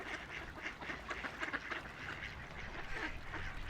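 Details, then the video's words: Ducks on a quiet river quack in a busy, overlapping series of short, raspy notes that continue without pause, alongside a low rumble of flowing water. "Relaxing Ducks Quacking by the River"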